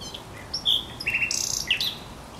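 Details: Short phrase from a thrush nightingale, Żerań Canal, 24 April 2022: a clear whistle, a buzzy trill, then a quick downslurred note.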